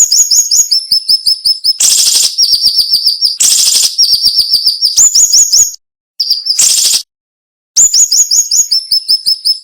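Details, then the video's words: Flowerpecker (siri-siri) song in the sharp, dense 'nembak' style with short pauses, used as a tutor recording for songbirds: rapid high thin notes in runs at about 162 a minute, broken by loud buzzy bursts and brief silences. "MASTERAN SUARA BURUNG SIRI SIRI NEMBAK TAJAM"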